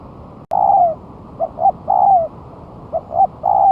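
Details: Lure spotted dove after one month of moulting, placed on the ground and singing eagerly: a sharp click, then a long falling coo and repeated three-part phrases of two short coos and a longer descending one, closely spaced.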